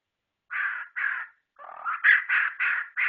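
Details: Murai ceram (white-rumped shama) giving rough, buzzy, harsh notes in short bursts: two separate notes, a pause, then a rapid run of five grating notes. The background is quiet.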